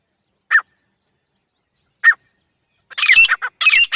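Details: Female grey francolin calling: two short, separate clipped notes about a second and a half apart, then a loud, harsh, rapid burst of rasping notes running to the end, with no other sounds.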